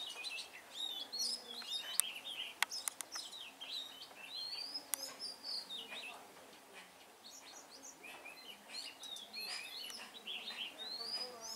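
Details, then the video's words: Oriental magpie-robin, a fighting bird being lured, pours out a varied, high song of sweet whistles, rising and falling sweeps and quick chirps, with sharp clicks and other birds calling. "chòe than đấu ko xù"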